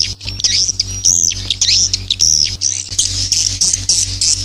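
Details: A lure sound for drawing young swiftlets into a new nesting building: shrill, sweeping swiftlet chirps and buzzy twitters repeated quickly over a constant low droning hum.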